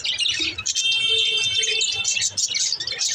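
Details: Male green lovebird, also called a parakeet, giving dense, continuous high chirping and twittering with overlapping squeaky notes throughout, with no pauses.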